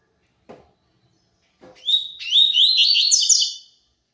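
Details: Tui tui zel zel song of a double-collared seedeater: two soft taps, then a clear rising whistle leading into a rapid chattering run of high slurred notes lasting nearly two seconds.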